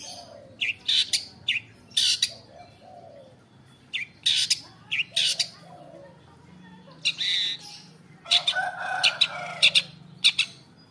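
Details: Long-tailed shrike singing in the afternoon, giving harsh broadband squawked notes in short clusters, some paired, with irregular gaps and a louder noisy burst near the end over a low hum.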